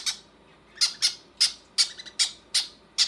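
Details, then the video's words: Conure babies begging as their mother feeds them, repeating short, grating squawks at a steady pace of about two per second. "Mama conure feeding her babies"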